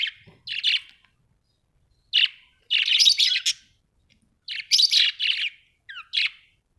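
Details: Budgies producing grouped buzzy chirps and rasping warbles, bursts of varying length broken by quiet pauses, one short descending whistle near the end.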